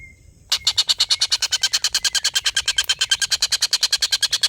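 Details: Long laughing call of a collared kingfisher, a tutor recording for contest birds. A faint thin whistle opens, then a sudden burst of rapid, grating kek notes starts and carries on at a steady fast pace to the end.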